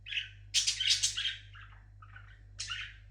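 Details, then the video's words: Pet parrot sings with a brief warble, then a long loud harsh screech, softer chatter, and a final rasping squawk. "Der Papagei singt schön."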